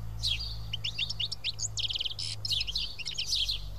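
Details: A small group of house sparrows feeding side by side at Karyotissa, Greece: rapid, sharp chirps pile up in busy runs, with a faint low mechanical hum beneath.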